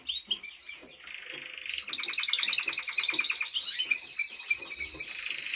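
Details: Timbrado Español canary in training singing: scattered chirps open into a steady buzzy passage, then a fast rattling trill of evenly repeated notes, ending in rolling, bell-like phrases.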